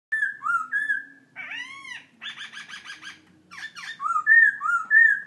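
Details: Laughingthrush singing: clear, loud whistled notes that rise and fall, broken by a buzzy rattling passage, then bright repeated whistles.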